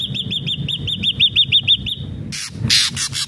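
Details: Ashy drongo in energetic song, used to make captive birds sing: a rapid even string of about ten arched whistled notes, about three per second, ending in loud harsh rasping bursts.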